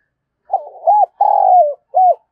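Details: Decoy spotted dove cooing in the morning, thúc and chiêu call styles: a low, wavering coo, an arched note, a long sliding coo that falls at the end, then a short clipped coo.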